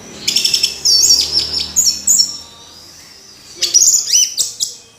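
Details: Orange-headed thrush singing two bouts of fast, squeaky high whistles and twittering notes separated by a short quiet gap.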